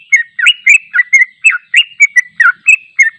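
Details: Long unedited ropel song of a sooty-headed bulbul for training: steady stream of quick slurred whistled notes, rising and falling, roughly four per second without a break.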